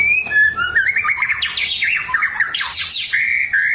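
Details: White-rumped shama singing in forest as a lure for birds: continuous rich warbling phrases, rising and falling slurred whistles climbing higher, with a faint steady background hiss.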